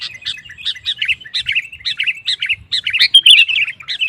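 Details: Sooty-headed bulbul, kutilang, singing loudly to provoke rival males into singing: bubbly, chattering phrases of short notes repeated rapidly, a steady stream of clustered chirps with no other clear sounds.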